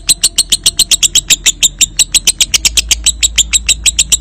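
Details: Sustained high, rattling lovebird ngekek, used as a lure to get lovebirds trilling; evenly spaced shrill pulses around five a second run without a break, with a steady low background hum.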